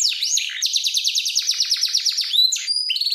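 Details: Male canary of a big-size type, an energetic song of quick repeated downslurred chips forming a steady trill, then broken by pure high whistles and a short buzzy phrase.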